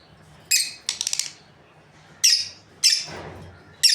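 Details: Breeding lovebirds chirping: loud raspy squawks interspersed with a rapid stuttering series of short ticking notes, calls coming every second or so.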